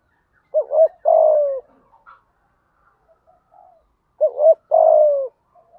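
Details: Spotted dove cooing in the 'thúc gù' style, 'giọng thổ' voice, to excite other doves: two low phrases, each a quick double coo and a longer sliding note, separated by a pause of about three seconds with a few soft chirps.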